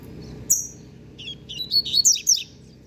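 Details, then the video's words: A young, novice double-collared seedeater that has finished fixing its song opens with a thin high whistle, then rattles off a fast series of bright, squeaky chirps. "Papacapim Novato Cantando Bitolado!!! Encarte 100% CONCLUÍDO!!!"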